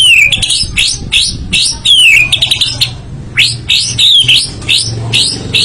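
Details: White-rumped shama singing in full voice: strong whistled phrases that swoop sharply up and down, given in bursts about every second with brief gaps, bright and loud throughout.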